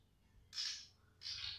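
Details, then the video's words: A female cungkok calls loudly and will not stop, giving two harsh, rasping bursts of about half a second each, high and scratchy, with a short pause between. "cungkok wedok suarane buanter ra gelem meneng"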